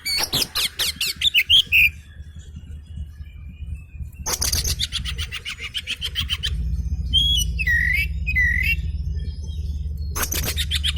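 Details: Oriental magpie-robin singing in answer to an agitated magpie-robin: bursts of rapid high chattering notes and loud whistled, down-slurred phrases, with a steady low hum underneath.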